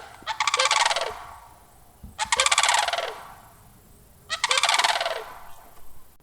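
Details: Sandhill crane calls: three long, rattling, bugle-like notes about two seconds apart, each made of fast rolling pulses that trail off downward at the end, with quiet background between.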